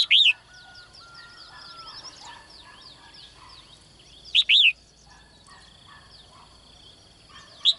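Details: Female bird in a cage calling each morning to draw a strong male, giving short bright chirped phrases at the start, middle and end, with faint softer chirps and a thin high hum between.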